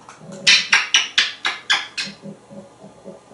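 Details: Pet male African grey parrot, hatched in 1997, kept indoors at home in Texas; a run of seven sharp, harsh bursts about a quarter second apart, fading into softer low pulses afterwards.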